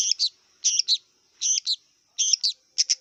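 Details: Wild long-tailed shrike repeating a paired, harsh two-part phrase roughly every 0.8 seconds, each note rich and chattering, four phrases in three seconds.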